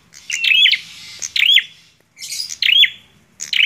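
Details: A bar-winged prinia in full song gives loud, high phrases of quick slurred chips run into a thin level whistle. Phrases come about every second, separated by brief pauses.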